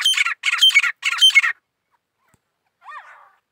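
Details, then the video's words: Grey francolin song in the wildlife season: three loud, grating notes repeated in quick succession, followed by silence and one faint, softer note. "teeter birds 🐦 grey partridge 🐦 songs"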